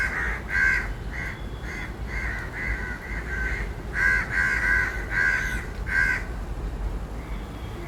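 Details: Several crows calling loudly while fighting for food: a steady run of harsh, hoarse caws, about a dozen in eight seconds, some doubled in quick pairs, over a constant low background rumble.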